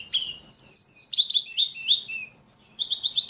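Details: Ledekan bird in very vocal form, singing a quick run of high, bright whistled and twittering phrases, some slurred downward, ending in a dense burst of rapid buzzy trills.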